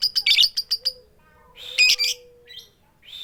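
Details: Calling to a male, a female lovebird gives a quick run of high ticks mixed with rasping squawks, pauses, then adds a couple of louder harsh 'keyok' bursts.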